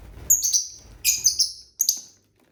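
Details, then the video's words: Three bursts of shrill, piercing lovebird chirps from pet birds eating and singing, each a quick cluster of two or three squeaks, the last one short. The room is otherwise quiet. "Bird sounds for lonely lovebirds (Eating, Singing & Chirping Sounds)"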